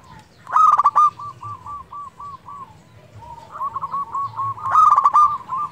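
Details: Caged local zebra dove singing as a stimulus for quiet doves, loud coo bursts each trailing into rapid pulsed purring coos, roughly three to four pulses a second.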